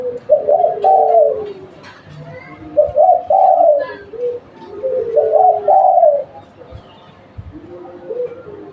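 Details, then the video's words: Spotted dove, a local bird used as a lure, cooing in three clear phrases about two and a half seconds apart, each a quick stuttered coo rising into a drawn-out falling note, softer coos answering. "Tekukur lokal buat pancingan"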